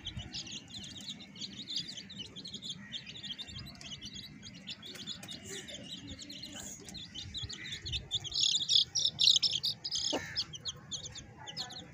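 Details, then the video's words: Several baby chicks with a hen keep up rapid, high-pitched cheeping, more than three notes a second. The chorus swells louder and busier near the end, with a few faint clicks and knocks. "cute baby chicks with hen"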